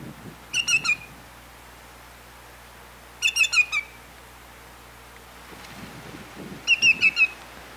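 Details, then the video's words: Greater yellowlegs giving loud, ringing series of three to four rapid, clear, downslurred whistles, about every three seconds, with quiet low rumbling between the bursts. "Cri du Grand Chevalier/Call of the Greater Yellowlegs"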